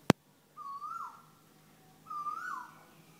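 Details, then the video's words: Constantly calling unknown bird in Thailand: two whistled notes, each steady then rising and dropping sharply, separated by about 1.5 seconds, preceded by a single sharp click. "The most annoying bird in Thailand"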